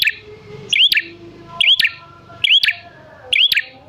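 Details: Bar-winged prinia calling actively, a recording for luring prinias into replying; four emphatic chirps, each a quick upward-curving whistle with clicks, spaced under a second apart, faint low murmur between.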